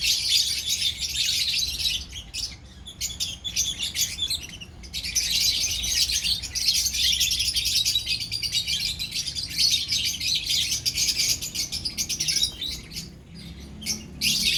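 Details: Colony of lovebirds: a dense, continuous chorus of shrill, high chirps and squeaky chatter that barely pauses, with a brief lull around the third second before the noisy chattering swells again.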